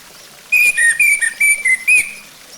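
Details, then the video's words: Orange-headed thrush song, used as a lure to make another bird sing: six clear whistled notes, each about a quarter second long, alternating between slightly higher and lower pitches in a steady, even rhythm. "Pancingan Ampuh Buat Anis Merah Biar Cepat Bunyi"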